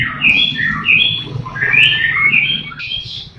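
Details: Captive White-rumped shama song meant to encourage other shamas to sing: continuous fluid whistled phrases, rising and falling, over a low background hum.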